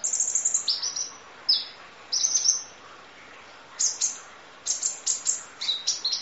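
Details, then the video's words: High, piercing sunbird phrases of the Kolibri Ninja, masteran training audio with full-fill 'nembak' delivery: thin whistled strokes and quick chip clusters, a gap near the middle, then rapid repeated notes. "Audio Master Masteran Kolibri Ninja Full Isian Nembak Durasi Panjang Kicau Burung"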